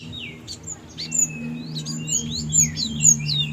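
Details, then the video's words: Pet Java sparrow, kept since it was young, singing actively: quick high chirps and thin sliding whistled notes in irregular bursts, with a steady low hum underneath. "burung gelatik gacorr"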